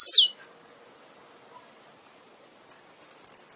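Blue-black grassquit: a loud, sharply falling high note, then two thin isolated ticks and a quick run of very high, clicky notes.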